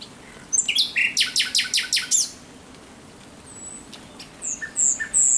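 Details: Night song of a thrush nightingale recorded 17 May 2023: a fast run of about eight loud, sharp, rasping repeated notes, a pause with thin high whistles, then a new burst begins.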